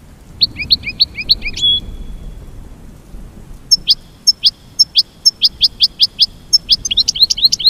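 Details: Goldfinch opening with a quick twittering run of slurred high notes, falling quiet for about two seconds, then resuming with rapid, regular bright chirps that quicken toward the end.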